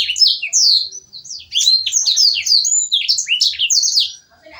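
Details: Canary song used as master song for training other songbirds. A rapid, varied stream of high chirps, sweeps and trills, with dense slurred phrases delivered almost without pause, all bright and high-pitched, with no other sounds.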